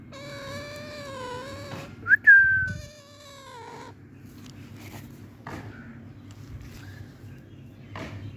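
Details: Alexandrine parakeet playing in a garden, very active: a long drawn-out nasal call, then a short sharp whistled note, then another drawn harsh call falling in pitch, followed by quieter scattered clicks and low hum.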